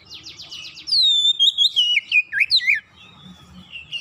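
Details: Song of an Oriental magpie-robin meant to lure other birds into singing: a fast buzzy trill, then a long falling whistle and a chain of twisting, warbled phrases that fade into soft low murmurs.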